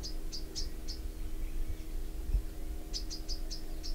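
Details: Bronze sunbird giving high, clipped chirps in a short series, then a pause and another quick run of five similar notes, with a steady low background hum.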